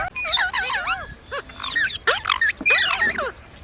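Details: Green parrots give quick bursts of bending, whistled squawks in three clusters separated by short gaps, the notes sweeping up and down in fast succession.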